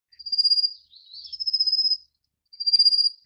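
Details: Feeding chicks, a Rufous-faced Warbler gives three thin, insect-like high trills; the middle one begins with a quick upward swoop before rattling on evenly.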